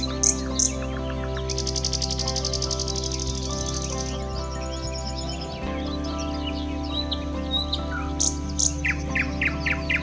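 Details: A thrush nightingale, common in the Biebrza National Park marshes of Poland and singing from dense thickets, gives a fast, dry trill of high notes, then sharp separate chirps, over steady background music.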